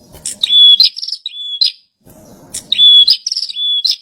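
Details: Bar-winged prinia delivering two loud song bursts, each a run of piercing high notes with a sustained thin whistle, separated by a short pause with low background noise.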